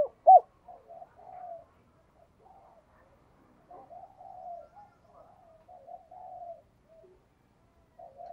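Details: Lure spotted dove cooing and calling: one loud short coo near the start, then a long run of soft, low, murmuring coos at steady pitch, with brief gaps between phrases.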